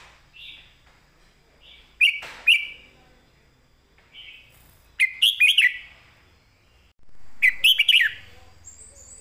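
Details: Caged red-whiskered bulbul singing a clear master song in southern style for training birds: three loud phrases of quick, liquid whistled notes at about two and a half second spacing, softer warbles between, and a faint high note at the end.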